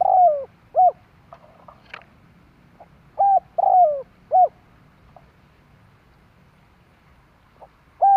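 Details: Spotted dove cooing, a recording used to lure other doves: short hooked coos in small groups with pauses between, one longer coo sliding down, faint softer notes in between, otherwise quiet.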